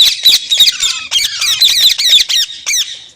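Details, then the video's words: Green parrot, a pet described as talking, chattering in a steady run of shrill, scratchy notes, roughly four per second, with one thin falling whistle in the middle and no other sounds. "Green Parrot Talking Natural Sounds | Mitthu Ki Awaaz | Tote Ki Awaaz"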